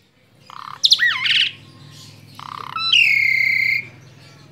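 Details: A tame Asian pied starling sings a jumble of slurred whistles, warbling notes and a long, bright, slightly falling whistle, mixed with harsher chattering phrases.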